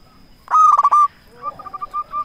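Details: Local zebra dove lure song for provoking rival doves to reply; one strong rasping phrase of rolling coos, then a softer, separate run of evenly spaced cooing notes.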